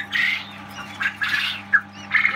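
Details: Newly hatched quail chick from a large incubator batch, hatched after a 12-hour power cut chilled the eggs, gives short, harsh cheeping bursts roughly once a second over a steady low machine hum; 13 May.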